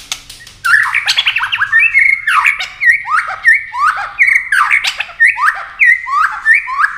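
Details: White-rumped shama in competition singing, flashing its wings and flicking its tail: a loud, regular series of harsh down-curving chattered notes, roughly one every half second, after a brief quiet start.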